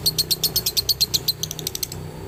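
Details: Male lovebird from Galendo, Ciamis, singing its long 'dobelan' trill for training other lovebirds: rapid series of sharp high chirps, about eight per second, fading into a softer faster chatter near the end; low hum in background.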